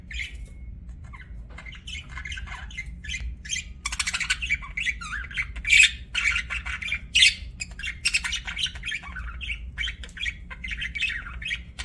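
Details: Budgerigars chirping with scratchy, squeaky warbled notes, intermittent louder harsh squawks around the middle, and a steady low background hum.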